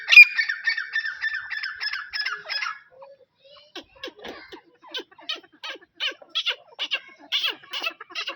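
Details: Grey francolins, a pair, give a quick series of evenly spaced, ringing, harmonic notes for under three seconds, followed by quieter scattered clicks and short squeaky sounds.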